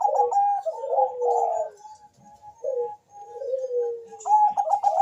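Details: Zebra dove of the Bangkok type: a choppy run of low notes drops into a sliding coo, a thin steady tone holds through a pause, and the stuttering-then-falling phrase repeats.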